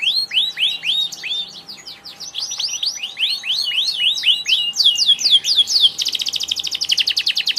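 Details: Singing canary delivering a series of upswept whistled notes at a steady pace, then a quicker run of sweeps, ending in a fast buzzy rattle of rapid notes.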